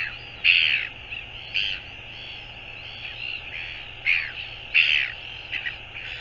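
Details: Northern royal albatross calling on 24 January 2022: harsh, hoarse bursts under a second long, five louder ones spaced irregularly over six seconds, with softer rasping calls between them.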